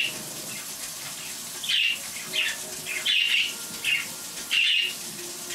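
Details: Pet budgerigars calling indoors while water runs, a behaviour the keeper calls the 'water animation': short bright chirps and trills come in bursts roughly every second or so over a steady hiss of running water.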